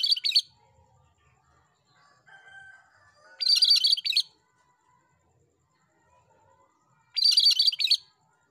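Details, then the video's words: Cream-striped bulbul, repeated gacor (loud, persistent) song: short bursts of dense, scratchy, high chattering notes, each under a second, returning every three to four seconds, with faint soft whistles between. "Masteran Burung Cucak Kerinci Gacor"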